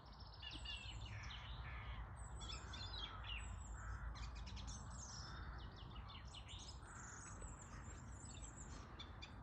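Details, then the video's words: Spring birdsong after the winter calls have gone: dense high chirps and trills from several birds, with constant low rumbling noise beneath. "The sound of spring #shorts #birdsong"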